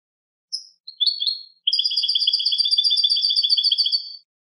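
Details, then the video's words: European goldfinch in clean song (canto limpio): a few opening chirps, then a fast, even, metallic trill of repeated tinkling notes lasting over two seconds, with no other sounds. "Cante de jilguero (canto limpio)"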